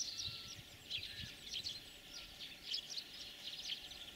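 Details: European greenfinch song in early spring breeding season near Kalyazin, Russia: bright twittering, jingling trills in quick bursts about every half second, fairly high-pitched, over a steady faint hiss.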